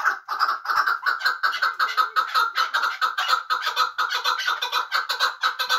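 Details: Hunting chukar partridge from Muminobod giving dense, grating clucks strung closely together in a continuous, slightly uneven rhythm.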